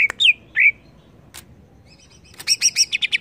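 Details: Song of greater green leafbird used to agitate it: two loud falling whistles, a pause with a single click, then a fast rhythmic chatter of high notes.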